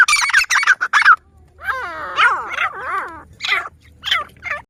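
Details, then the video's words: Grey francolin from Pakistan, known as teetar, whose males call in the breeding season to attract challengers: a rapid run of sharp notes, then several wavering, descending harsh calls spaced about half a second apart, low hum behind. "teetar ki masti ki video"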